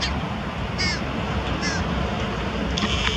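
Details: Carrion crow carrying prey and feeding young near Diemerbos, Netherlands, 22 July 2020; two short hoarse caws about a second apart, then a fainter third, against constant low-pitched background hum.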